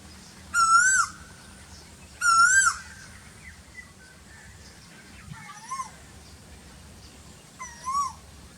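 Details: An Asian koel in the very hot season gives loud, clear whistled notes that swoop upward: two strong calls close together, then two fainter ones several seconds later, over a quiet low hum.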